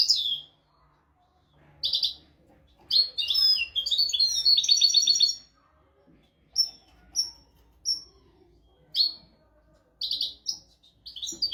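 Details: European goldfinch, tutor song for teaching goldfinches and canaries: short high chirps separated by silences, one long twittering trilled phrase near the start, then spaced single tinkling notes and brief twitter bursts.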